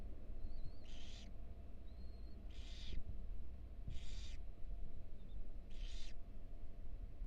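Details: Barn owl at a nest box at the University of Florida, where a female broods four tiny nestlings. Harsh, broadband hissing bursts, each about half a second, come four times in seven seconds. Faint thin high whistles and a steady low rumble run underneath.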